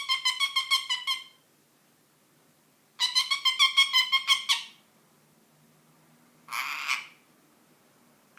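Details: Ten-month-old pet ring-necked parakeet making funny noises indoors: two bursts of rapid, evenly pulsed harsh notes, each about a second and a half long, then a short buzzy squawk and a clipped note at the end.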